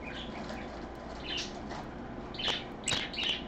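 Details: Captive parakeet on a live camera on a Sunday afternoon, 24 August 2014, at 3 PM, giving short high chirps in scattered bursts of two or three over steady low room hum.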